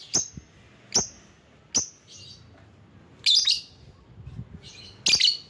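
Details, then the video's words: Lovebird giving calls to lure rivals: three thin, piercing chirps about a second apart, then two louder bursts of harsh, rapid chatter after quiet gaps. "Burung LOVEBIRD Ampuh memanggil lawan"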